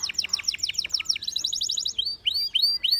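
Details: Belgian canary singing a varied song: fast series of descending whistled notes, then a rapid high trill, then slower upward-curving whistles repeated about three per second.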